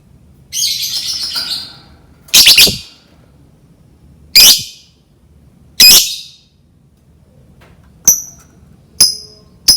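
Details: Lovebird chirping played to encourage lovebirds to learn singing: a run of shrill, harsh squawks and chirps about every one to one and a half seconds, ending in three short, sharp, thin notes.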